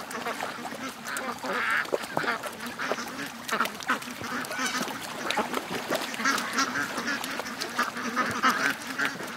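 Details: A morning crowd of more than 700 ducks and geese bound for the lake. A softer, steady hubbub of overlapping quacks runs throughout, with louder bursts near the start and the end.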